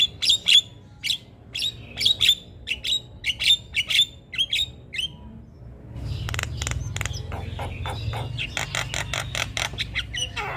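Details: Javan myna, a caged songbird described as singing tirelessly at all hours and stirring other birds to sing along; a series of short harsh chirps about every half second, then denser clattering notes over a low background hum.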